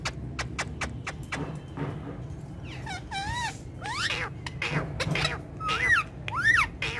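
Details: Several pet parrots, kept indoors and filmed talking and dancing on a charpai, make wavering, wobbling calls that rise and fall, ending in two brighter chirped notes, with tapping clicks and room noise throughout.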